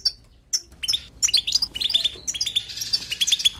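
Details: Non-stop batbata song of a European goldfinch, opening with a few separate sharp chirps and then building into a dense, fast, tinkling twitter with buzzy notes and bright liquid trills.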